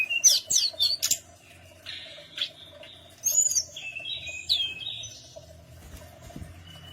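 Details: Tledekan gunung singing as lure for other birds to reply: quick burst of high rising chirps, then longer wavering whistled phrases fading out, faint low hum throughout.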